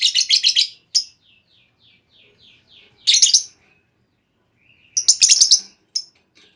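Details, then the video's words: Female lovebird call used as a lure to prompt other lovebirds into long trilling; bursts of rapid, harsh chattering chirps, separated by a soft series of short descending tweets, then renewed chatter after a pause. The recording is clear. "Pancingan Burung Lovebird Betina! Bakal Langsung Respon Lovebird Segala Kondisi Auto Ngekek Panjang"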